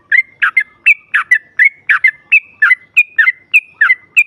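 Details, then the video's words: Female yellow-vented bulbul, a call that draws rival bulbuls to answer at once: a quick run of short bubbly, chattering notes with brief whistled slides, about three per second, over a quiet, clean background. "SEKALI PUTAR SEMUA TRUCUKAN NYAUT NGROPEL Seketika"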